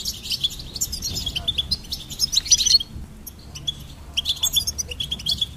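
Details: Goldfinch song in two bursts of rapid twittering, with chirps and trills crowded together, separated by a quiet gap of about a second; soft low background hum throughout.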